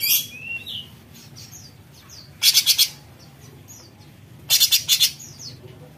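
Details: Cucak cungkok bulbul singing in the harsh besetan style: two bursts of rapid, buzzy rattling notes, each lasting about half a second, with soft high whistled slurs between them.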